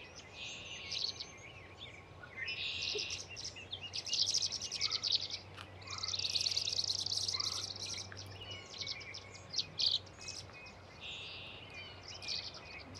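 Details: Tree swallows, a nesting male and female pair, recorded on April 14, 2024 at Patuxent Research Refuge South Tract in Laurel, Maryland; bursts of high, bright chirping and twittering come in clusters, with brief gurgled notes over a faint steady low hum.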